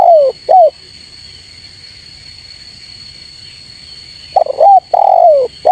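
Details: Spotted dove cooing to call rivals, used as a lure sound: a low, hollow coo phrase falling in pitch at the start, a silent gap of about four seconds, then the phrase again, over a steady faint high electronic whine.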